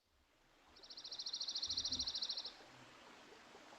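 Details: Dark-eyed Junco: a dry, musical trill of about twenty quick identical notes on one high pitch, rattling like a sewing machine for under two seconds over soft background hiss; occasionally it changes pitch.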